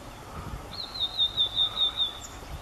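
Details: Wild blue-and-white flycatcher in Kobe Municipal Forest Botanical Garden, Japan, sunny morning of 3 June 2014: one sustained, high, evenly pulsing trilled phrase of about one and a half seconds over soft background hiss.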